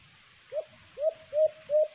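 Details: Alimokon, the white-eared brown dove, filmed during a cage-trap hunt, gives four soft hooting coos. The first is isolated and the rest come closer together, each swelling and slightly upslurred, over a quiet hiss.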